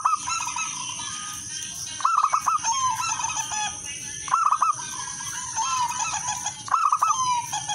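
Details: Zebra dove of wild local stock sings as a lure: rapid rolling coos in clipped bursts about every two seconds, with softer trailing notes between, under a constant high-pitched hiss.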